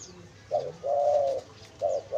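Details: Spotted dove used to lure wild doves, giving a short coo, then a long steady hollow coo, then the phrase beginning again; quiet surroundings with faint high background sounds.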